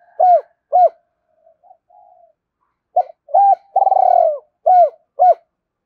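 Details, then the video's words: Spotted dove calling to rouse other doves to coo, a pair of clean arched low coos, faint soft notes, then quick coos around a long vibrating purr-like note. "Tiếng chim cu gáy gọi hai hậu/ chim cu gay kich boi nhanh noi gù kích bổi hiệu quả"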